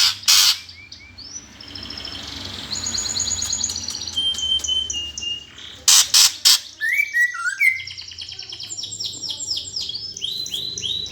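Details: Greater green leafbird in gereja fighting-song style, used to provoke contest birds. Harsh loud rasps alternate with thin high whistles, lower slurred phrases and busy chatter, finishing in a fast series of descending sweeps.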